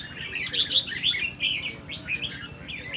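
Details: Caged red-whiskered bulbul, a pet songbird being tested for temperament, giving short liquid chirps and warbled phrases in quick bursts. A steady low hum sits underneath throughout.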